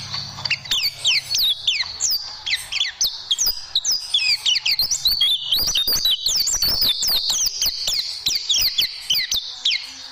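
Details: Oriental white-eye song used as a tutoring recording for training caged birds: rapid, twittering high whistles with quick rising and falling slurred notes, delivered in dense bursts throughout.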